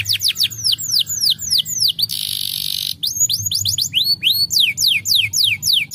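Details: Canary singing, meant to spur other canaries to sing diligently; loud rapid sweeping whistles falling in pitch, a short harsh buzzy stretch, then more quick descending notes in steady rhythm.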